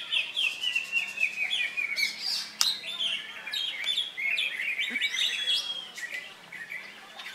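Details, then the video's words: Contest leafbird (cucak hijau) singing at Latpres Utama Delta Kencana Indonesia on Saturday 3 September after its molt, taking two wins; rapid looping chirps and buzzy trills, a sharp click midway, low steady hum beneath. "Cucak Hijau Jabrik Tarik 2 Kemenangan"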